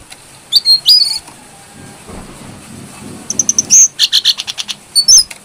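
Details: Brown-throated sunbird song, clear and lively, meant to draw out other birds: two thin high whistled notes, a pause, then a fast series of piercing chips and short whistles repeated several times per second.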